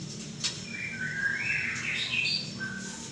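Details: White-rumped shama with a drooping tail delivering a rolling, slurred whistled phrase that rises and wavers in pitch, followed by a short higher note, with a steady low background hum.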